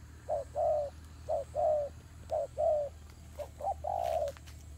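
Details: Turtle doves fighting: short coo then longer rolling coo, the pair repeated roughly every second, with a faint rustle near the end.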